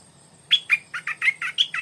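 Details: Stripe-throated bulbul decoy bird singing at 4 pm in the evening, used to lure wild birds: a quick series of eight bright, liquid chirping notes, roughly every fifth of a second, over a quiet background.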